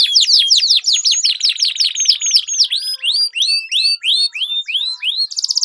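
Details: Canary singing as a training lure for competition birds: long rolling song of quick downslurred and upswept whistled notes, repeated in rapid series, with a brief buzzy trill midway and a fast rattle at the close.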